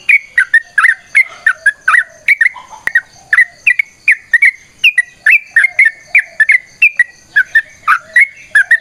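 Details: Yellow-vented bulbul in long, lively fighting song used to set other bulbuls singing: a steady stream of bubbly whistled notes, some swooping down, others flicking up, paced about two per second, with a single click partway.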